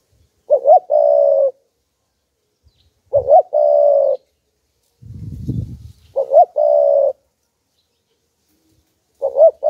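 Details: Spotted dove kept as a decoy, cooing to provoke wild doves. A mellow phrase of a quavering lead-in and a sustained coo repeats roughly every three seconds, with one brief low rustling thump between phrases.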